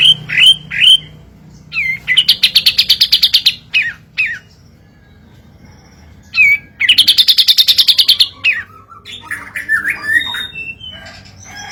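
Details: Fluffy-backed tit-babbler song played as a lure: two long, very fast rattling trill bursts of evenly spaced notes, separated by brief slurred whistles and chips, with a quiet gap between phrases.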